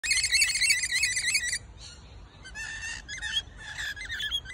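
Rainbow lorikeet fledglings give harsh, screechy, rapidly repeated calls, a loud burst first, then scratchier chattering notes over a low background rumble.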